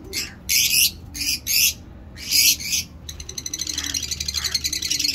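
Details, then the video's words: Loud, rasping squawk bursts from caged lovebirds kept for breeding, four broad harsh calls in quick succession, then a rapid pulsing chatter of fine repeated notes to the end. "Lovebird chirping"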